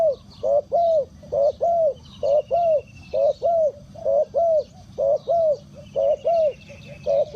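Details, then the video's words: Decoy spotted dove luring wild birds: steady, evenly spaced low cooing syllables, each rising then falling, repeated about once a second throughout, with faint high twittering and a thin trill from other birds in the background. "Chim cu gáy chiêu kích mồi tập bổi nhanh nổi hiệu quả"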